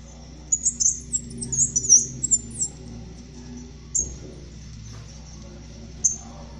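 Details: Black-chinned mountain tanager, a species of Colombia and Ecuador, giving a rapid series of high, thin twittering notes over about two seconds, then two isolated high chips after pauses; faint low hum beneath.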